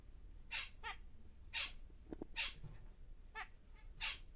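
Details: Captive male zebra finch of the normal grey colour, large size, calling loud nasal trumpet-like notes in pairs and singles, roughly one every second, with quiet low hum behind.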